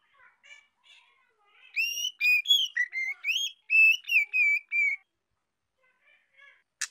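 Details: A young female white-rumped shama, whose song is used to stimulate males, sings a three-second burst of rich, varied whistled notes, with a few soft notes before and after and a sharp click at the end.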